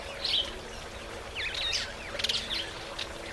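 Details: Fiscal flycatcher, while taking a bath, giving short, high chirps and a quick run of scratchy twittering notes, in three bursts over a few seconds, against a faint hiss.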